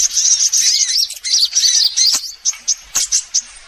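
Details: Sunbirds in a lure recording meant to draw in all kinds of sunbirds: dense, very high thin twittering with rapid chirps and short trills, several notes overlapping, ending in separate sharp chips.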